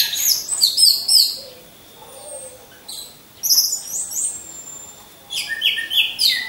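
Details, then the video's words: Orange-headed thrushes in cages hung together, trained to sing like champions. Rapid high chattering phrases with looping whistles come in three bursts, separated by softer, thinner notes and pauses. "Pancingan Burung Anis Merah"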